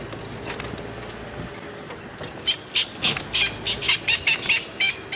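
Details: Francolin alarm calls at sunrise in April on Djuma Game Reserve, South Africa: a run of about ten harsh, scratchy notes, roughly three a second, loud against a soft background hiss.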